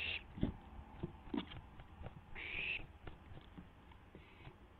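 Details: Barn owl owlet testing its wings just after midnight on April 12, 2016, on a live camera feed. Two rasping, breathy hisses, one at the start and one about halfway, stand out among scattered knocks and rustles.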